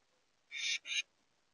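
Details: A Carolina wren at a bird feeder gives two quick, harsh, raspy bursts, each about a quarter second, one right after the other; otherwise quiet.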